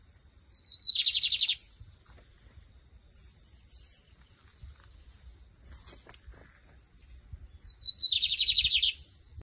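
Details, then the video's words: Bigodinho, the lined seedeater, singing in competition style, camelão versus torneiro, 2023 season: two matching phrases about seven seconds apart, each a brief high whistle followed by a rapid, buzzing trill near one second long, quiet between. "BIGODINHO CAMELÃO VS TORNEIRO"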